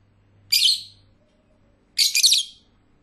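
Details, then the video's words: Lovebird gives two harsh, shrill bursts of chatter, each raspy and high, the second longer and broken into quick pulses, against a quiet background. "Love birds singing nicely"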